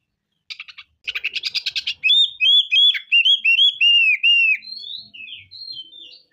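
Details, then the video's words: Oriental magpie-robin in energetic full song, opening with a burst of harsh rasping notes, then loud, slurred rising-and-falling whistles, ending in higher sweet phrases. "KACER BONGKAR ISIAN. KACER GACOR"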